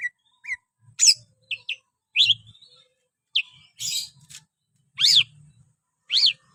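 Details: Greater green leafbird singing energetically: loud, separated whistled notes and sharp sweeping chirps, some rising, some in chevron-shaped slurs, about one per second, with soft low knocking underneath.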